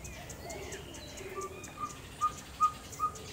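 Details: Ferruginous pygmy owl (Glaucidium brasilianum) from Orotina, Costa Rica: after mixed background bird chirps, a short string of five clear whistled toots begins, evenly spaced and rising in volume, with steady high insect noise behind.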